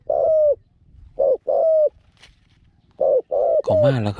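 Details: A captive zebra dove used as a decoy bird for trapping gives short, soft, mellow coos in quick bursts, five notes in about four seconds, with a man's voice briefly at the end.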